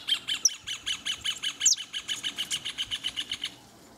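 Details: Canary by the nest delivering a fast, even rolling trill of high notes, about five per second, with an occasional sharper chip over it.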